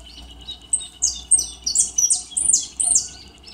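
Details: A captive European goldfinch on a rainy day sings a fast, high, tinkling twitter of bright chirps and buzzy trills, tumbling several notes per second over a faint low hum.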